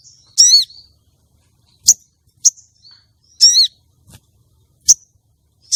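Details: Female common iora calling to excite a contest male into breeding mood: stacked, wavering chattered notes alternating with single sharp high chirps, the pattern repeating twice within a few seconds.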